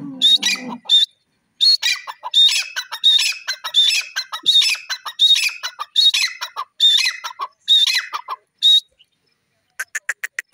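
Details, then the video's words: A francolin (irani teetar) gives a rapid run of loud, harsh, squealing notes in tight, repeated bursts after a brief low sound at the start, then pauses before a few quick, clipped notes at the end. "irani teeter bird calling,pardrige teeter bird sound"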